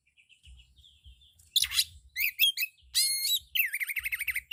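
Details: White-rumped shama singing a loud, fully varied song: soft whistled notes at first, then harsh buzzy bursts, chevron-shaped chips, a long rising whistle with overtones, and a quick wavering trill at the end.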